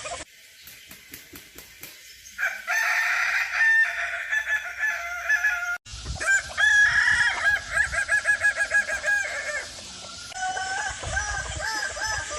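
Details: Kukuak Balenggek singing rooster of Minangkabau, prized for its layered, tiered crow starting from four syllables; after a quiet start, loud crows with repeated wavering stepped notes, cut between two takes, with some background noise.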